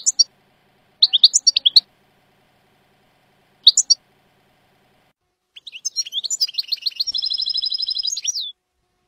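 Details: European goldfinch singing in the Jordanian style on an error-free training tape: scattered sharp chirps and twitters, then a long, fast, tinkling trill of rapid repeated notes over the last three seconds.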